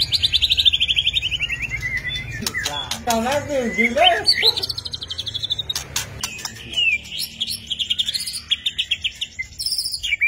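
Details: White-rumped shama singing rich whistled phrases, descending runs and rapid trills, with a lower wavering sequence in the middle and constant sharp clicking throughout.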